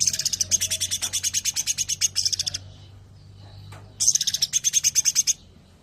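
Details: Sooty-headed bulbul singing in the 'tembakan rapat' (rapid-fire) style: dense runs of sharp, high chipping notes in fast succession, two bursts split by a quiet gap of about a second and a half, with a faint low hum beneath.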